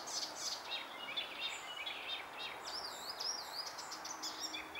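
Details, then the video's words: Icterine warbler song in June 2021: a fast, jumbled stream of varied high chirps, twangs and warbled phrases with changing pitch, set against constant broadband background noise. "koncert zaganiacza"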